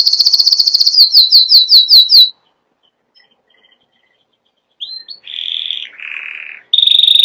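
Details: Canary song opening with a quick repeated chopped trill and a series of descending slurred notes, then after a gap short rising chips, buzzy lower rolls, and a bright steady trill.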